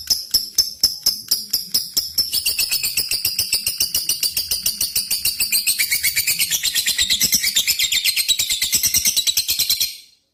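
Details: A lovebird lure recording in ngetik and ngekek style, meant to challenge rivals: spaced sharp ticking notes at first, speeding into an unbroken high-pitched chattering trill that stops abruptly.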